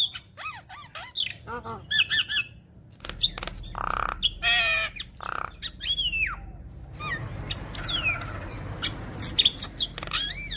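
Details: Long stretch of Javan myna song with many different phrases, used to encourage other mynas to sing: whistled slurs, harsh squawks, nasal buzzes and descending whistles in quick succession.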